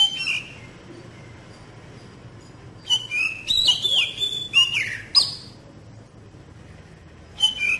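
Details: Magpie-robin lure song, played to get young magpie-robins to open their voice and sing steadily: brief bursts of varied whistled and slurred phrases separated by quiet gaps, over a low background hiss.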